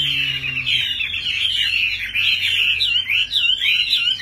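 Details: Caged Chinese hwamei, a tame fighting bird that sings while its cage is hand-carried and shaken, pouring out a loud, continuous warbled song of rapid rising and falling whistles with faint low room hum beneath.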